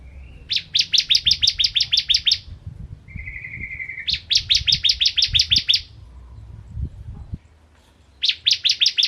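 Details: Bar-winged prinia, a lively singer used as a tutor for white-rumped shamas. It gives rapid series of about a dozen sharp, high, repeated chirps, separated by a short thin whistled note, with faint low background noise.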